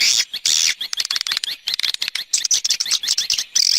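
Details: External swiftlet sound: two loud buzzy bursts open, then a quick, choppy series of short high chirps and ticks, closing on another sustained buzzy burst.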